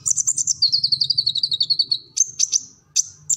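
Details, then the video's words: Kolibri ninja sunbird, recorded to train captive birds, delivers a rapid high trill of pulsing notes that slowly drops in pitch, then a few sharp piercing chips. A low hum runs underneath. "Kolibri Ninja Gacor Full Materi"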